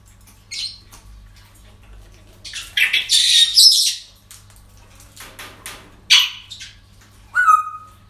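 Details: Parrots calling at a breeding centre on an ordinary day: scattered harsh screeches, a longer noisy chattering burst in the middle, more rasping cries and a final clipped whistle-like call.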